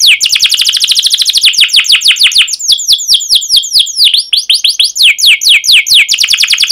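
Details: Canary in continuous emotional 'cuit cuit' song: a fast run of descending whistled chirps, slowing into spaced sweeping notes with a few upward and downward slurs, all high and bright.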